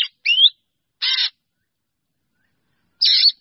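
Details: A Black Drongo calls the flock with one quick upward-slurred whistle followed by two harsh, buzzy, grating bursts, the last after a pause of nearly two seconds.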